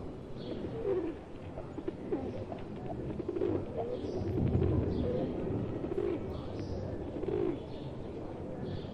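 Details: Pigeons in a flock where a pet pigeon has joined wild ones; low soft coos repeat at irregular intervals under steady background hiss, with faint higher chirps from other birds.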